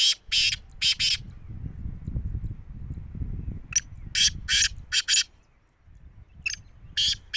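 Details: A black francolin, locally kala teetar, calls in loud grating bursts, clustered in twos and threes with a quiet stretch in between, against a steady low-pitched rumble.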